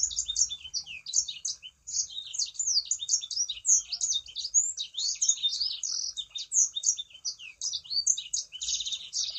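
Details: Vigorous Sangihe shrike-thrush song used to stimulate other birds into singing: nine seconds of near-continuous high, fast twittering, with short buzzy trills and sweeping notes and a single brief gap near the start.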